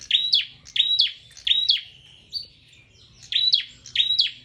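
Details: Prinia singing energetically: rapid sharp high notes, each a bright downward-sweeping chip, delivered in pairs with a short pause mid-sequence, quiet low hum behind.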